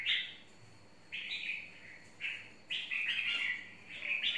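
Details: Wild-type red-whiskered bulbul delivering a run of bright, slurred warbling phrases, each about half a second, coming in quick succession and building to a busier burst near the end, over a faint constant high-pitched hum.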